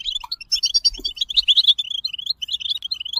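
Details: Goldfinch song: quick jangling twitters and bright chirps run together without pause, high and tinkling, with a soft low knock about one second in.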